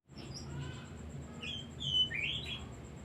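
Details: Oriental magpie-robin singing, a recording used as a lure to stir other songbirds into singing: a few rising and falling whistled notes in the second half, with a faint steady high tone and a low background hum.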